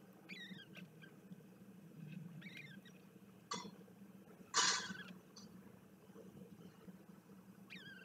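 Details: Bermuda petrels recorded 06 04 2021, giving brief wailing, wavering calls that rise and fall, spaced several seconds apart, broken by two bursts of scraping noise and set against a droning hum.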